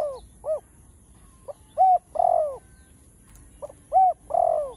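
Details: Cu gáy, the spotted dove of Vietnamese farmland, gives low mellow coos, two clear phrases of a short hoot, a sharp hoot and a long sliding coo, repeated about every two seconds.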